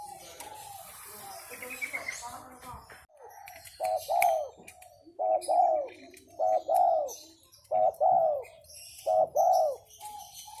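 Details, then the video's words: A tame spotted dove, its song in the masteran style, gives soft mellow cooing phrases. After some quieter, scratchy sounds, distinct coos of two or three notes each start at about four seconds and repeat roughly every second. "Suara Derkuku masteran"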